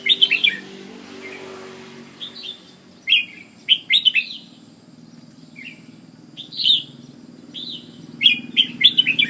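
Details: Red-whiskered bulbul, described as an Ubon decoy bird, singing short bright warbled phrases of quick rising and falling notes, repeated in bursts with brief pauses, over a steady low hum.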